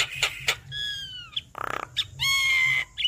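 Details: Javan myna chattering song, used to spur a reluctant bird: clear, drawn-out whistles falling slightly in pitch, broken by a rasping buzzy burst and short sharp notes.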